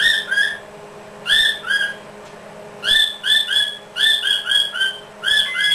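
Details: Chatty practice talk from a pet Quaker parrot: clear whistled double chirps with rich overtones repeat in tight groups of two to four, separated by short silent gaps.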